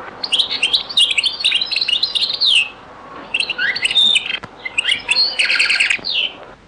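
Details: Very old recording of a European goldfinch singing Beni Messous 'les avocats' (zaboka) style: long rapid twittering sequences of high tinkling and buzzy notes with a trilled rattle near the end.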